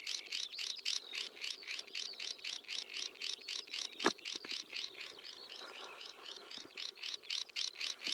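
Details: Swinhoe's Snipe calling: a fast, steady series of harsh, rasping notes, about four each second, running throughout, with a single sharp click near the middle.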